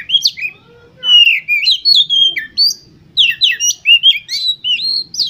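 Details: Lure song of an Oriental magpie-robin for contest birds: varied whistled phrases mixing long clear notes, quick downward slurs and sharp upswept chips, delivered in two energetic bursts.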